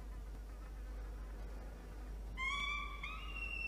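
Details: Peregrine falcon chick in a nest box on a water tower, Orange, NSW, Australia, protesting nest cleaning on a November 2021 afternoon. Low rumbling background, then a loud shrill harmonic wail starting midway and continuing to the end.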